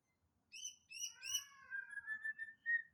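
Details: Young wild white-rumped shama from the Sumatran forest, learning to sing: soft whistled notes sliding downward, then a wavering sustained whistle with brief rising phrases, quiet and tentative, faint low background rumble.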